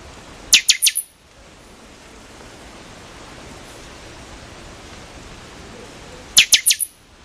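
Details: Buffy-fronted seedeater (pixoxó) song: two bursts of four sharp, loud, high clicking notes in quick succession, separated by about six seconds of steady hiss.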